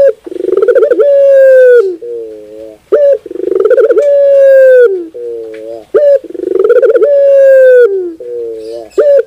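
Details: Loud, rhythmic cooing of a puter, or barbary dove, used as sound therapy for kept birds: each phrase swells into a long, level coo, then a short, wavering lower note, repeating about every three seconds.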